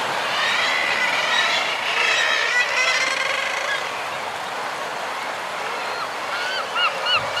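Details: Common murres (guillemots) in a group on breeding ledges with fulmars and kittiwakes: dense, overlapping chorus of harsh, growling calls, sharp rising kittiwake cries breaking through near the end.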